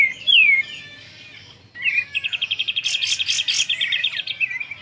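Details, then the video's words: Sooty-headed bulbul singing freely, used as a lure bird at home, tail not yet fanned: a sharp whistled downslur, then a fast run of about fifteen bright, evenly repeated notes with higher chips above, over a soft low hum. "kapas tembak gacor tapi belum bukak ekor,cocok untuk pancingan dirumah"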